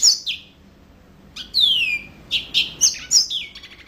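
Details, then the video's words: Yellow-fronted canary giving an opening high chirp, a pause, then a long clear whistle sliding down followed by several sharp, bright notes and a soft, fading trill. "Mozambik Gacor Full"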